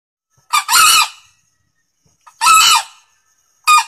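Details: Male green junglefowl crowing loudly, a recording used to lure wild junglefowl: short harsh broadband bursts about half a second long, spaced roughly every two seconds, the third cut off at the end, with silent gaps between.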